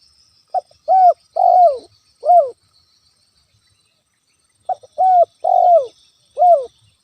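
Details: Spotted dove calling eagerly as a natural lure to provoke a rival: twice the same phrase of a brief note followed by three loud, mellow, downward-bending coos, with a quiet gap of two seconds between.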